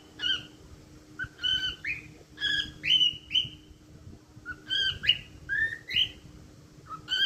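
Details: Pet cockatiel whistling its song: a series of clear harmonic whistles, some rising and bending, in bursts roughly every half second to second with brief pauses, steady faint hum underneath.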